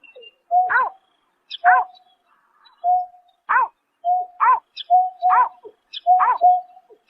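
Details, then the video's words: Greater painted-snipe at night, March 2024: rhythmic nasal, down-curving notes fused with level hoots, nearly once a second, with faint high squeaks above. "Tiếng Chim Nhát Hoa Đánh Đêm Vụ Tháng 3 Năm 2024"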